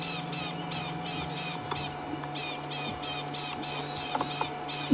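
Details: Rattling cisticola (Cisticola chiniana) on top of a tree at sunset, 28-12, near a buffalo herd, gives a very angry, harsh scolding alarm of rasping notes, several each second, probably at a snake or other threat, over a low vehicle engine hum.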